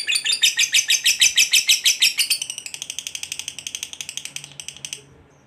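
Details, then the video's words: Trilling fighter lovebird, long ngekek call to provoke other birds: loud, grating pulses for about two seconds, then weaker, quicker ticking pulses fading out to silence near five seconds. "SUARA BURUNG LOVEBIRD NGEKEK PANJANG, GACOR FIGHTER PANCING EMOSI, LABET LAIN LANGSUNG PANAS"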